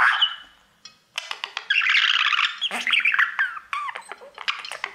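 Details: Caged pet budgerigar, a male, sings to his mirror, as he does all day; after a brief quiet start, a dense chattering warble of clicks, buzzes and rising and falling whistled notes fills the rest.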